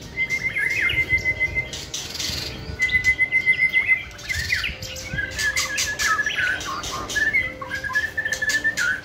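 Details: White-rumped shama chosen for a singing competition, delivering bursts of bright whistled phrases mixed with rapid chirps and harsh ticks. Busy background noise runs throughout.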